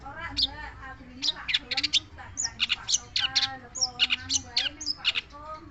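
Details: Long-tailed shrike delivering a choppy series of harsh, buzzy high notes and short whistled slurs in irregular bursts, against a constant low wavering background sound.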